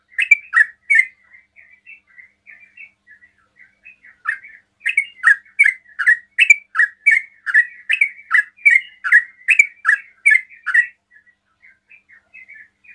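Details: Sooty-headed bulbul in fast 'ropel' song, provoking rival bulbuls to answer; loud bursts of quick chirped notes alternate with a softer, quieter twittering stretch before the rapid series resumes.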